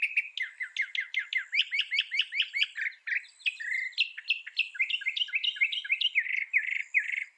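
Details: Northern mockingbird singing a rapid, varied run of chirped phrases, each note type repeated several times in quick succession before switching, bright and high-pitched throughout with no other clear sounds.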